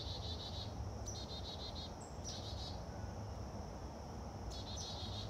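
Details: Agitated chickadee keeps up its yelling: four close bursts of rapid, raspy notes, some opened by a sharp high whistle, with a continuous cricket-like drone and low-pitched outdoor rumble underneath.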